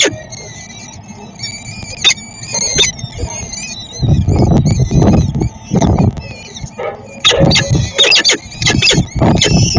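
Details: Peregrine falcon at feeding time, Szczecin, Poland, 22 April 2021: high, thin squealing calls with slightly rising and falling notes, repeated through the first half, then mixed with loud scraping and thumping bursts near the microphone.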